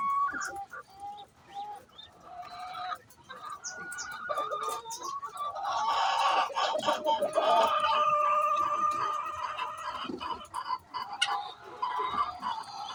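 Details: Hen making noise before laying eggs, a long run of rapid clucks building into loud, harsh, sustained squawking cries, with more clucking from other fowl around.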